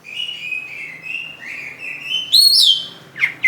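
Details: Kacer (Oriental magpie-robin) singing: a run of drawn, slightly wavering whistles, then a louder rising and falling whistled flourish and a sharp downward note at the end.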